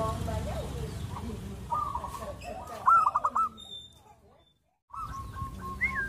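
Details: Zebra dove song used as a training recording for singing doves: staccato rolling trilled phrases over background murmur, a brief quiet gap, then another bubbling trill and a high slurred whistle.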